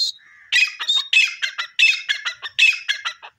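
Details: Grey francolin (teetar) giving a rapid, loud run of harsh, scratchy repeated notes that sweep and pulse without pause for about three seconds after a brief thin whistle and a lower buzzy note.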